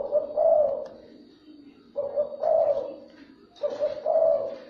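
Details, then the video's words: Spotted dove giving its luring call to draw in other doves: three deep, hollow coo phrases, each two-part with a short note and a longer purring coo, spaced about one and a half seconds apart. "chim cu gáy , kích bổi siêu nhanh"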